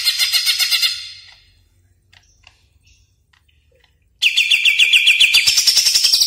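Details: Greater green leafbird, kept caged, sings a training song: fast rhythmic bursts of rapid repeated trilled notes, a quiet pause, then a long run of quick rising zigzag trill notes ending on a higher buzzy trill.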